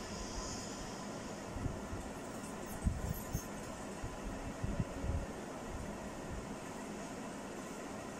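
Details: Steady low mechanical rumble like a fan or passing vehicle, with a few soft knocks and no animal voice.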